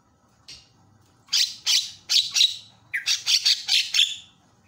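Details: ['Javan myna making harsh, loud squawks in quick bursts of four and five, the kind of calling meant to provoke other mynas into calling.']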